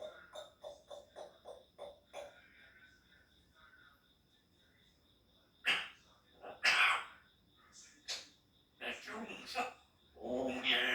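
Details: Three-year-old pet grey parrot, described as a talking parrot. A series of short, evenly spaced tonal notes is followed by a pause, then harsh, loud, broad squawks and scratchy bursts toward the end.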